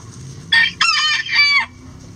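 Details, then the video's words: Rooster crowing in a coop while hens eat eggs: a loud three-part crow of rich, harmonic syllables, the last held and dropping away at the end, all within about a second and a quarter over a quiet background. "Rooster Crowing"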